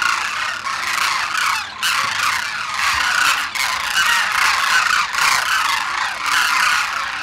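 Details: Demoiselle cranes in winter at Khichan village, India, where residents offer grain every morning; many birds calling at once in a dense, unbroken trumpeting roar.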